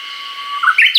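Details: Uguisu song from a Hokkaido forest in early summer, captured on a Nikon COOLPIX P950: a low, level whistle that breaks into three bright, clipped notes climbing in pitch, the last one a steep slide, over a steady high hum.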